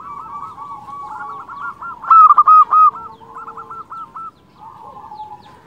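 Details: Zebra dove of local stock singing, used to raise the mood and breeding urge of quiet zebra doves. One bright burst of about five fast coos sits in the middle of a softer, continuous trilling chorus.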